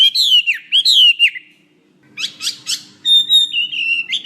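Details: Chinese hwamei song for training other birds: a few loud descending whistled slurs, a short quiet gap, sharp higher notes, then a sustained clear whistle with a faint low hum behind.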